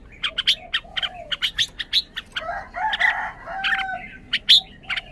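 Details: Red-whiskered bulbul in a cage giving scattered sharp chirps and whistled flicks over a drawn-out, lower warbling, slurred sound in the middle; the notes are irregular rather than steady.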